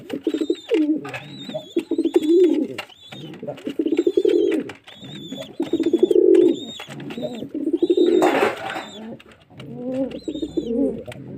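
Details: Several rolling, guttural pigeon coos follow one after another across the recording, each swelling and fading. A steady high whistle-like tone recurs on top, and there is a brief noisy burst near the eighth second.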